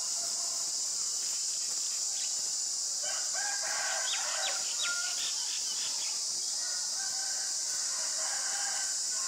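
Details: White-vented myna in Ubon Ratchathani, Thailand, recorded 25 March 2022, giving grating, nasal call notes with a few sharp whistled upslurs midway, set against constant shrill insect buzzing.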